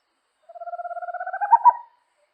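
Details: Small owl of the Amazon, a night-active forest bird, giving one clean pulsed trill about 1.4 seconds long. Its low tonal notes with a fainter upper layer rise slowly and grow louder toward the end, with no other sounds.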